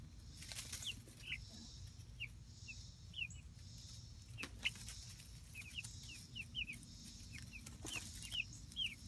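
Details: Light Brahma chicks about a month old explore their coop run outside: repeated thin, descending cheeps in irregular runs, punctuated by sharp wing-flapping bursts over a low rural background hum.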